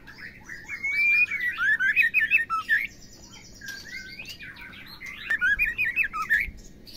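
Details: White-rumped shama female sound meant to make male birds sing and turn aggressive: two dense bursts of twisting, warbled whistles and chattering notes, separated by a short quieter gap.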